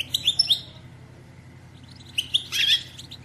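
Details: Female European goldfinch batbata used to prompt males to sing and mate: a clipped twittering burst, a pause, then a louder run of chirps rising into a harsh, buzzy flourish; faint background hum.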